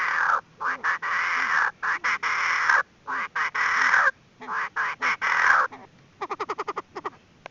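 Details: Chinese francolin hen voice used to lure birds into traps. Long, grating, rasping calls are broken by short harsh notes, ending in a rapid string of about ten quick clucks.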